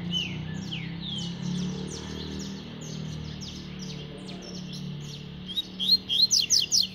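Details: Rusty-collared seedeater singing a fast, strong song in the tui tui style: quick high twittering and downslurred whistles, ending in a run of loud clipped notes, over a steady low hum.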